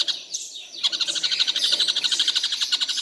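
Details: Tengkek buto kingfisher, noted for calling all day without a break. After a short sweeping note it launches into a rapid rattle of high, evenly spaced notes lasting to the end.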